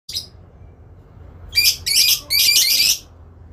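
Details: Adult lovebird answering a rival, giving a long ngekek: a short high chirp, then three harsh buzzy bursts in quick succession, each about a third of a second, with a low background hum.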